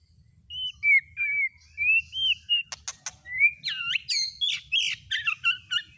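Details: Lure song of a white-rumped shama meant to stir a listening shama into singing: clear whistled phrases rising and falling, a few sharp clicks, then a quickening series of varied buzzy and slurred notes.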